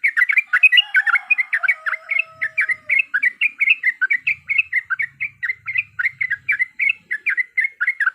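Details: Yellow-vented bulbul lure song for triggering fighting song, with energetic rapid bubbly notes repeated without pause, along with a brief faint whistle early on.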